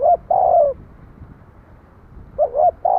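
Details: Spotted dove giving hoot-hoot-cooo phrases: short rising notes followed by a sustained, gently falling coo, repeated after about two seconds. Quiet low background.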